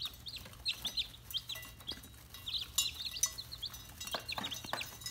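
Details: Red junglefowl chicks giving short, high peeping chirps, often with a quick downward or hooked shape, in irregular bursts from several birds, with scattered clicks and taps in the background.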